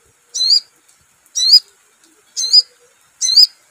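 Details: Four high, twisting, upslurred notes from a sogon, spaced about a second apart, from a lure recording meant to set a bird singing.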